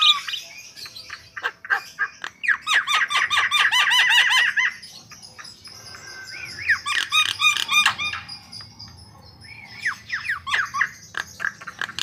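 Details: Chattering song of a white-vented myna (jalak kebo): bursts of fast, harsh, repeated notes separated by quieter gaps, with some whistled notes mixed in.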